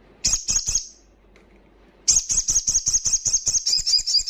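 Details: Loud ngalas song of a crimson sunbird, meant to bring untrained birds into breeding condition and aggression: three quick shrill notes, a pause, then a long rapid run of sharp, very high notes repeated steadily.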